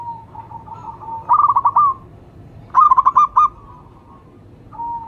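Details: Local zebra dove (perkutut lokal) calling: two bursts of rapid, clipped cooing notes with a longer final note, separated by pauses, while a fainter, even coo runs between them.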